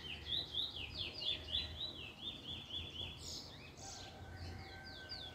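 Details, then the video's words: Song of a first black Trinidad bullfinch, said to be picking a nice form, dated 10/10/20: quick series of swooping whistled notes repeated about four per second, then a short scratchy flourish and faint background hum. "Trini bullfinch first black picking a nice form"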